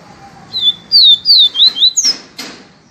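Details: Yellow-bellied seedeater, known locally as papacapim peito amarelo, singing the viviti song style: a short phrase of clear, high whistled notes, several sliding down or up, ending in a sharp rising-falling note, with a brief faint click afterward.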